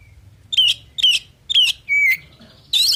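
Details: Oriental magpie-robin song, 'full isian' style (packed with varied phrases), meant to provoke other birds to answer. Three warbled, wavering phrases come about every half second, followed by a level whistle and a harsh, buzzy burst.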